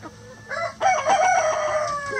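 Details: Rooster crowing loudly in a coop with other chickens, a short rising note followed by a long strong harmonic crow held steady for over a second before falling away at the end.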